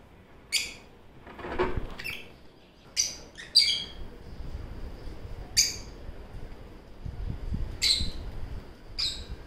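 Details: Two pet lovebirds playing and eating fruit make brief, sharp, high chirps at irregular intervals, roughly every two seconds, with some low rustling and thumping from movement in between.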